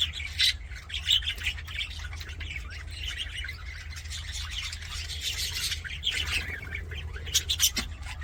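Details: Happy budgie sounds: loud sharp chirps early on, then steady scratchy chatter and warbling from several birds, over a low rumbling background.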